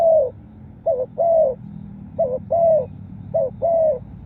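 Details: Spotted dove song used for luring wild birds: a trailing coo, then three phrases of a short wavering double note and a long smooth falling coo, at steady, close, clear level.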